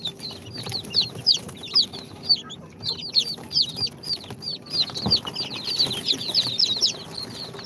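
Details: Newly hatched chicks of Sultan, Golden Sebright, Cochin and booted breeds, on day two after hatching in an incubator. Dense, high chirping peeps, many birds overlapping, with quick downward-slurred notes coming several times per second over a low background hum.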